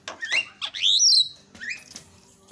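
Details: Javan myna sound from a lure recording meant to make other mynas sing: a few short chips, then a loud, rising, squealing whistle, followed by a brief upward note.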